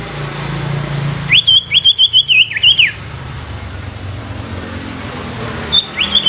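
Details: Greater green leafbird song meant to stir other leafbirds into singing and agitation: a fast run of high, looping whistled notes for about one and a half seconds, then a brief second burst near the end, over a steady low rumbling background.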